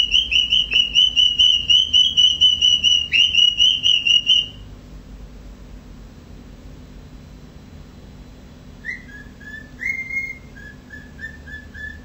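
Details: Pet male cockatiel imitating a siren: a rapid, evenly pulsed high whistle repeated for about four seconds, then after a quiet gap a few softer falling and rising whistled notes over low room hum.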